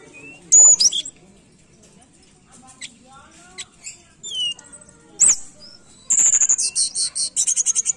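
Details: Tledekan lure recording meant to coax a bird reluctant to sing: sharp high whistles, quick chirps and a dry rattle, ending in a rapid run of bright repeated notes.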